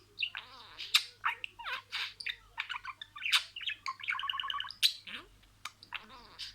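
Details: Pet budgerigar talking in a sequence of words: scratchy warbled syllables and sharp ticks, a burst of fast stuttering notes in the middle, then quieter grating chatter.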